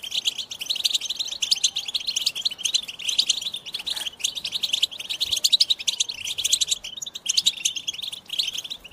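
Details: Lively goldfinch song, identified as American goldfinch: fast, high warbled twitters and chirps in a steady stream, loud and unbroken, with brief dips between phrases and no other clear sounds.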